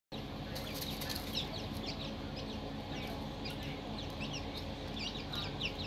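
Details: Chicks in a brooder: many overlapping high, downslurred peeps, several each second, over a steady low mechanical hum.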